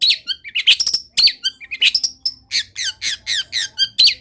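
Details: Long-tailed shrike in a dense, nonstop medley of mimicked wild-bird phrases: chattering squeaks, quick whistles and raspy slurred notes tumbling together, then a steady series of buzzy downslurred notes.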